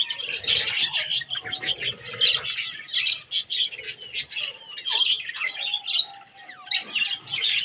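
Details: Budgerigars kept as pets during bath time, giving a busy stream of harsh squawks and buzzy warbled notes, several birds calling over one another with short pauses.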